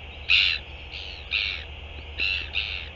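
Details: Northern royal albatross recorded on 11 February 2023: a harsh, buzzy call given in short, bright bursts roughly every half second to second, five bursts in all, over a steady low hum.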